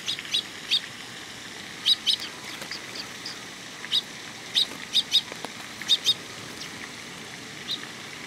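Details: Fledgling sparrows arriving for food at a Tenmangū shrine on 18 May 2021 chirp insistently: crisp high notes in pairs and triplets, clustered around seconds two, five and six, against quiet surroundings.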